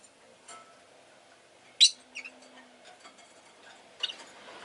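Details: Pet rosy-faced lovebird, with street noise such as engines possible in the background: a few scattered, abrupt high chirps, one loud shrill note followed by two softer squeaks, then another sharp chirp near the end over faint low hum.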